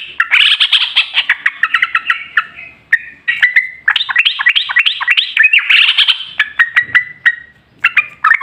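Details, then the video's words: Lively yellow-vented bulbul singing, meant as a lure to draw song from other bulbuls, a dense run of bubbling, slurred whistled notes with brief pauses and a few sharp clicks. "Pancingan Trucukan PALING AMPUH ! Burung Langsung Ngalas | & Nyaut Gacor"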